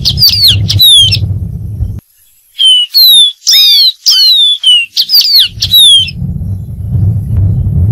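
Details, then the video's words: Singing dark-throated seedeater (Sporophila ruficollis): two whistled phrases, a brief pause, then a lively series of clear descending whistles and twisting slurred notes, with low background rumble before and after. "Dark-throated Seedeater.Bird Singing.(Sporophila ruficollis)."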